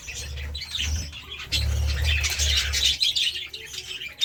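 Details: Budgerigars eating seeds and vegetables give harsh squawks and scratchy chatter, with a loud low hum throughout.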